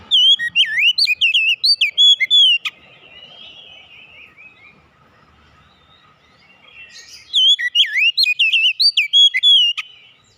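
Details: Song of the oriental magpie-robin: two dense phrases of rich, swooping whistles and chips separated by a quiet interval with faint distant chatter.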